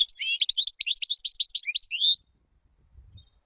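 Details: European goldfinch song for teaching young birds: a dense, rapid string of liquid chirps and twitters for about two seconds, then quiet with a soft low bump.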